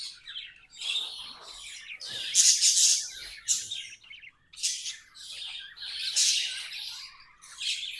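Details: Budgies singing in uneven bursts of harsh, buzzy chatter and sharp squeaks, with short pauses between phrases.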